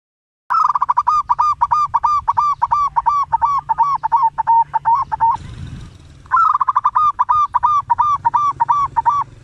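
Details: Local zebra dove singing loudly, used to lure and prompt other zebra doves to call: a long series of arched, hoarse notes repeated about three per second, broken by a short noisy gap, over low background rumble.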